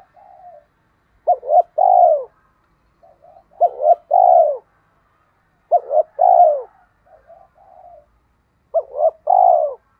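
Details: Hai Hậu decoy spotted dove calling to attract wild doves, Vietnam: four phrases, each opening with short rising notes and ending in a strong falling coo, soft warbles in the gaps.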